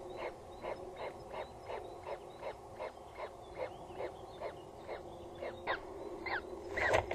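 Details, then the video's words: Nest of peregrine falcons on Axel Tower in the Netherlands, evening of 14 April 2019, where a first chick is thought to be heard; rhythmic falling squeaks repeated roughly every half second, growing louder toward the end, over constant background hum. "Is there already a chick?. We hear him"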